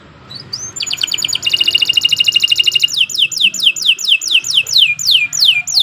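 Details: Canary song, long and continuous: a short rising whistle, a fast rattling high trill, then a steady series of descending whistled sweeps repeated roughly three per second, with soft low background hum.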